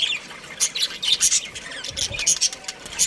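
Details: A breeding pair of budgerigars makes short, sharp high chirps and clicks in quick irregular bursts, scratchy and rapid, with faint soft background noise.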